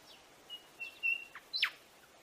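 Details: Buff-sided robin (Poecilodryas cerviniventris) call: a few thin, high, level whistles, then one sharp, quick downslurred note, over a quiet, faintly hissing background.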